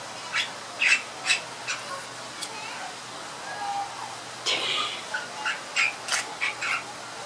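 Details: A Bali myna in a small entry aviary at Lowry Park Zoo sings a loose string of sharp clicks, chips and brief whistled notes, with one harsher chattering burst midway, over a faint murmur from visiting children.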